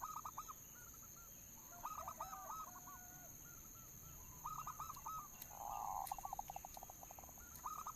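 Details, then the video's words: Local zebra dove cooing as a lure: several phrases of short coo notes, a purred note running into quick staccato pulses, and scattered sharp clicks, over a steady faint hum. "suara pancingan perkutut lokal"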